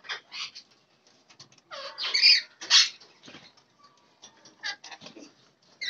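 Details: Lorikeets eating apples in a fruit meal give harsh, screechy chatter and shrill squawks in irregular bursts, with two louder rasping screeches standing out among softer scratchy notes.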